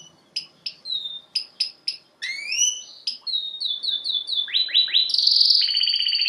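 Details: Canary singing: spaced sharp chirps, a rising glide, rapid repeated whistled notes, several downward sweeps and a closing loud buzzy trill.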